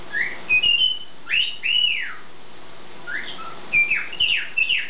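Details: Pet bird singing in the morning with loud arching whistles that sweep up and then down, a pause, then a cluster of rapid rising whistled notes and chirps.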